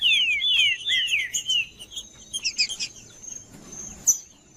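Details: Green-winged saltator singing in 'macheando' style, used to warm up other saltators: rich descending whistled slurs, then shorter rising notes and chips, over a steady thin high whine.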